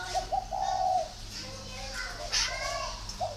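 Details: Spotted dove giving a cooing phrase: two brief notes then a drawn-out steady coo, a pause, and softer lower coos later, with a new phrase starting at the end; light background chatter and noise.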